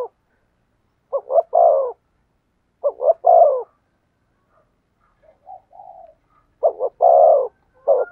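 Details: Spotted dove cooing in the 'thổ sấm' (thunder voice) style: three deep, hoarse phrases, each a short double note then a longer rolling coo, spaced about two seconds apart, with soft faint notes between.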